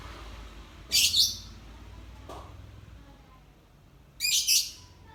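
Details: Lovebird in dull overcast weather during sunning, ngekek panjang; two rasping, stuttering high bursts over three seconds apart, with a faint knock and low background noise between.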